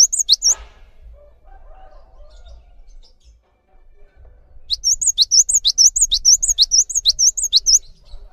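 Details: Cinereous tit singing for use as tutor song for other birds: one brief burst, a pause with low rumble, then a long run of quick, bouncy two-note phrases of swept high notes, about two per second.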